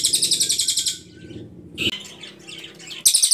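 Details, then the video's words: Ashy Tailorbird (cililin) in very clear song with long bursts, used as a tutor recording for songbirds: a rapid, high, buzzy pulsed trill lasting about a second, softer scattered chirps, then another fast trill burst starting. "CILILIN GACOR PALING JERNIH TEMBAKAN PANJANG"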